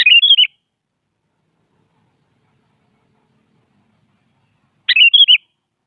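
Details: Sooty-headed bulbul singing in the morning to challenge a rival: two short bubbly phrases of four or five quick warbled notes, about half a second each, separated by over four seconds of silence.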